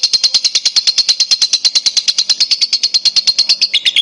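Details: Loud, continuous lovebird chatter made to prompt other lovebirds to sing: rapid, regular high buzzy notes, about eight per second, sustained throughout with a slight dip in pitch near the end.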